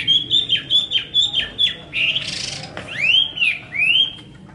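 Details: Hwamei song made of crisp repeated downward-flicking whistles, then a rough burst and a few long upward-curving slurred notes.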